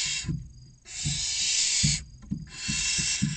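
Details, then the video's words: Inside a barn owl nest box in Cabañeros National Park, Spain, six chicks aged 16 to 29 days wait for food, giving long overlapping breathy screeching hisses almost without break, with rhythmic low thuds beneath. "Los seis pollitos esperando la cena - Lechuza común"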